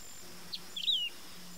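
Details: Wedge-tailed grass-finch singing a short high phrase, a soft opening note then a stuttered whistle gliding down, with faint background hum.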